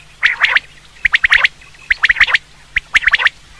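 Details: Common quail call used for hunting: short, sharp, identical notes in quick bursts of four or five, each burst repeated about once a second, over a quiet background.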